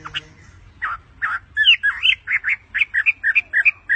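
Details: Pet bird perched on its owner's hand, singing a run of short, chirpy warbled notes that grow louder and come quickly, about five per second, after a quiet start with a faint low hum.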